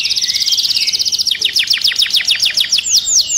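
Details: Agitated canary singing furiously inside its cage: a fast high trill of rapid repeated notes, shifting into a series of downward-sweeping whistled notes repeated several times per second.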